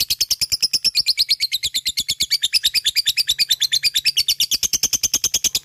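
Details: Lovebird kept as a fighter bird, singing continuous ngekek: fast, buzzy, high-pitched chatter repeated without pause, with the top notes sliding slightly up and down as the run goes on.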